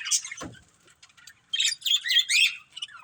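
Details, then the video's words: Pet budgerigars give scattered high chirps, then a run of quick warbling, whistled notes and scratchy chatter, about four notes a second, after a brief low thud. "Cute Budgies Chirping Sounds"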